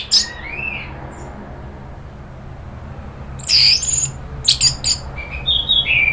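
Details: Orange-headed thrush (anis merah) from Indonesia, agitated 'nratak' then 'ngeplong' lure: a short rising whistle, a quiet pause, then loud rasping bursts and clipped high chips, ending with a thin whistled phrase.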